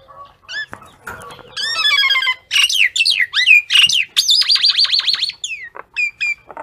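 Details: A common myna calls the flock in a lively jumble of squeaky whistles, rapid trilled notes and slurred chirps, with a fast wavering stutter near the end.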